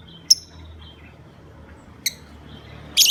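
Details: Lovebird call used as a lure to set other lovebirds calling: a lone piercing chirp, a long pause, another sharp chirp, then a harsher burst at the end, over low background hum.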